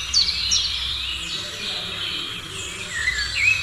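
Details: Morning chorus of birds: several high, thin chirps and twittering trills overlapping, with quick rising and falling whistled notes over a steady background hiss.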